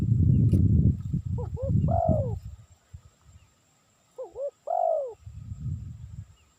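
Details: Spotted dove sound for luring: two clear phrases several seconds apart. Each has a pair of short hoots leading into a longer, arched coo. Low rumbling noise is heard before and after the phrases.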